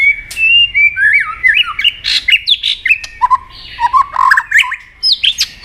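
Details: White-rumped shama in competitive singing with many voices: a continuous run of whistled, squawky and buzzy notes jumping between pitches, loud and varied throughout.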